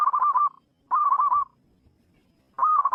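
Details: Zebra dove singing in the wild: three short cooing phrases, each a rapid bubbling run of soft, mid-pitched notes lasting about half a second, separated by brief silences, with faint low background rumble.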